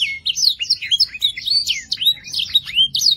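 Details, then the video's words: Young canaries are urged to sing by this rich canary song: clear, bright whistled notes swooping up and down in quick succession, some ending in sharp downward flicks. "RANGSANG BIRAHI DAN ISI VARIASI LAGU KENARI PAUD CEPAT GACOR ISIAN MEWAH"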